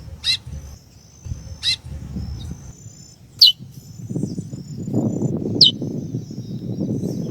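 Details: Female chestnut-bellied seed-finch calling to stimulate the male: four short descending chips spread over several seconds, the later ones sharper, with rising low rumbling and rustling noise in the background.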